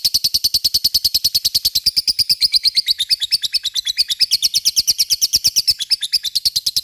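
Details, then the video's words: Lovebird in long ngekek song, meant to draw a reply from rival lovebirds: an unbroken, fast train of high, buzzy chattering notes held steadily for the whole stretch. "Pancingan LOVE BIRD gacor ngekek,mudah di respon lawan"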